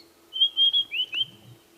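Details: At sunrise on 5 Sept 2016 in northeastern South Africa, a perched male White-browed Scrub Robin sings a quick phrase of five clear, high whistled notes, the last two sliding upward, over a low steady hum.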